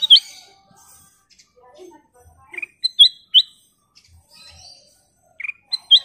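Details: Lively gacor singing of a Black-crested bulbul, known locally as kutilang emas: scattered short, sharp upslurred whistled notes and chirps at irregular intervals, with faint softer notes between them.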